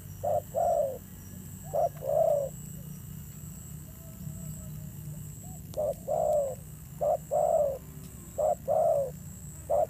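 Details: Wild-caught spotted dove in fierce thổ gù cooing style: low paired coos, each a short note followed by a longer drawn-out coo, in two bursts separated by a quiet gap, light background hum.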